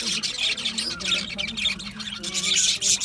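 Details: Budgies in an aviary chirp and warble in a steady dense chorus, high scratchy notes over soft lower tonal murmurs.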